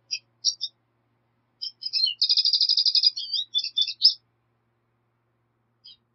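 A black siskin sings a high, twittering song of quick chirps, rising into a fast buzzy trill, then scattered notes; otherwise quiet.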